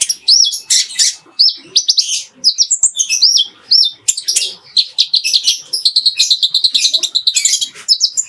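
A Van Hasselt's sunbird sings a fast, unbroken run of thin, high chirps and sharp twittering notes, bright and scratchy, with no pauses and no other sounds.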